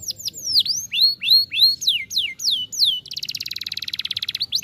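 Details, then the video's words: Canary song, played to get a silent bird singing again: a series of loud descending swooping whistles, several per second, then a fast buzzy rattling trill and a final rising note. "jadikan kenari macet bunyi kembali gacor"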